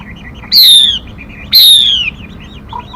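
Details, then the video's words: Decoy song of a female Mi: two loud, clear whistles, each sliding down from high to lower pitch, separated by soft chirps. "Tiếng Mi Mái. Tiếng chim kích bổi, kích trống, luyện giọng bổi, bẫy đỉnh nhất hay nhất"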